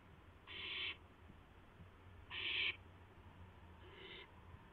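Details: Owl delivering a mouse to the nest just after midnight, April 12, 2016. Harsh, raspy hissing screeches of about half a second each, two strong and a third fainter, over faint background hum.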